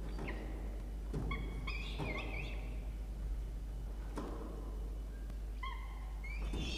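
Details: During a breakfast feeding at a peregrine falcon nest box in Orange, New South Wales, Australia, 1 November 2021: two bursts of quavering whining calls with scattered knocks and a low rumbling background.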